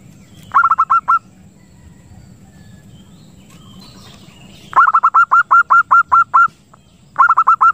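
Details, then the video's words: Zebra dove call played to lure birds and bring on breeding condition, three quick runs of short, bright staccato coos, the middle run longest at about a dozen notes, over a steady faint low rumble. "PIKAT PERKUTUT ‼️ Suara Jernih Ampuh Buat Pikat & Masteran Perkutut Untuk Merangsang Birahi"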